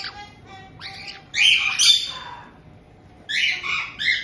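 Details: A resident pair of captive white-bellied caiques welcomes a new chick of about two months in Hokkaido on 18 June 2023, giving harsh, buzzy squawks in bursts, with a few thinner nasal calls between them.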